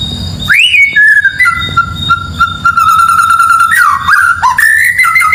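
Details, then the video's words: White-rumped shama song used to provoke neighbours' birds: long sustained whistled notes, a rising opening whistle then steady held tones with wavering turns, loud and close, low rumbling noise underneath. "MASTERAN MURAI BATU // isian suara murai bikin emosi burung tetangga"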